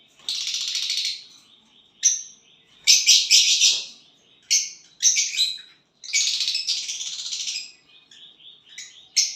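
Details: Violet bird singing and chirping after pairing: a run of harsh, buzzy, high-pitched bursts and clipped chirps, some long and rasping, others short, coming in irregular quick succession.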